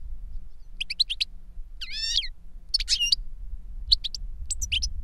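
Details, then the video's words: Goldfinch song as an older bird teaches a younger goldfinch: separated clusters of sharp chirps, one nasal buzzy phrase, and short twittering bursts between quiet gaps, over a faint low hum. "Older GOLDFINCH SINGING to Teach Younger Goldfinch"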